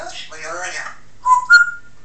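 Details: African grey parrot indoors: after soft human speech, two short clear whistled notes, the second higher and held briefly.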